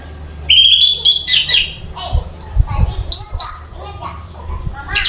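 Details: A caged orange-headed thrush sings a loud whistled phrase that slides and wavers, followed by scratchy notes and higher flourishes, while soft knocks and faint voices sound in the background.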